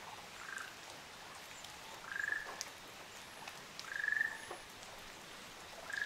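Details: A Ruddy kingfisher, one of a pair on Amami Ōshima, Japan, gives short, clear whistled notes, each rising slightly, repeated about every two seconds over soft background hiss.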